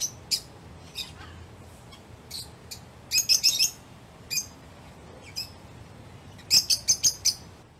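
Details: Lovebird giving sharp, high chirps in scattered bursts, with quick rapid-fire clusters around the middle and near the end, over a quiet low hum.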